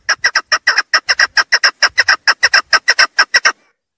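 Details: Female chukar giving a fast, even run of hoarse chuk-chuk notes, roughly five per second, that stops abruptly after about three and a half seconds.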